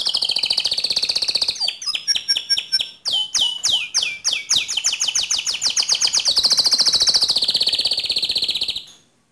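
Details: Canary song meant to provoke other canaries into rolling song: fast trills of rapid repeated notes, a high sustained whistled stretch, then rolling series of sliding notes, loud and continuous.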